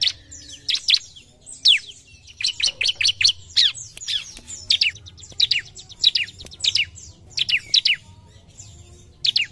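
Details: Vigorous bar-winged prinia song aimed at an opponent, the bird said to flare up immediately: clusters of piercing, high chirps and short sweeping notes fired in fast runs, gaps of about a second between bursts, with steady low background hum.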